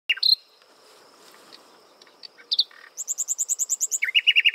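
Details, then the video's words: Common nightingale singing while perched on a prickly pear cactus: a few sharp whistled notes and a short pause, then a fast rattling series of repeated high clicks, ending in lower rapid chirped notes. "Ruiseñor Común cantando en Chumbera"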